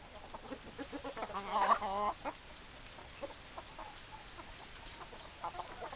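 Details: Chickens clucking, with one louder burst of rapid, stacked clucks around the second second, then scattered softer clucks and short calls continuing through the rest.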